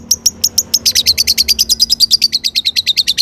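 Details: Long-tailed shrike in full song used as a lure for other shrikes: a few spaced piercing notes launch into a fast, steady trill of about twenty sharp repeated chips at high pitch.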